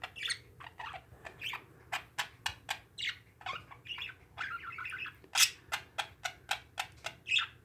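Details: Several pet parakeets give squawky chirps early on, then a fast run of sharp, regular clicks takes over, with a steady low hum behind.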